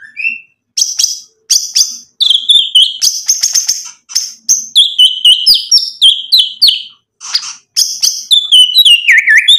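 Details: Singing white-rumped shama, its song full of varied filler phrases meant to draw answers from other birds. High, sharp chips and whistles in quick bursts, separated by brief pauses, ending in a falling whistle.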